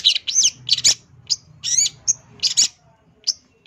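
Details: Long-tailed shrike in full-fill champion song for tutoring: varied high bursts of twisting whistles and scratchy chirps, delivered in uneven clusters with brief gaps, ending in sparse single notes.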